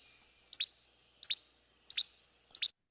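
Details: Least Flycatcher, a forest species of fairly tall trees, giving four sharp, dry two-part 'che-bek' notes, high-pitched and snappy, repeated roughly every two-thirds of a second against a quiet background.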